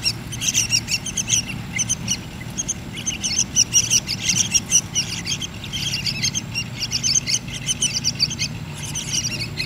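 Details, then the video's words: Yellow-vented bulbul chicks being hand-fed, giving bursts of thin, high, rapid chirps in clustered volleys through the clip over a steady low background rumble. "Suka duka meloloh anakan trucuk an"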